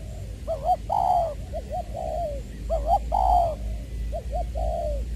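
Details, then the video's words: Decoy spotted dove of Long Đức, Trà Vinh, Vietnam, 22 February 2021, singing in the "giọng tiểu" voice style. Three phrases of low, hollow coos, each a quick doubled note followed by a long sustained coo, with a steady low rumble behind. "Ra mắt AE nước chơi mồi lỡ "Chuẩn Giọng Tiểu""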